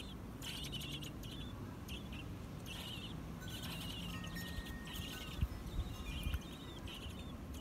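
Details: Young American robins at a nest around fledging time, bill clicking: sharp broadband clicks mixed with high, thin chirps in short bursts, plus a few brief steady whistled tones and low background rumble.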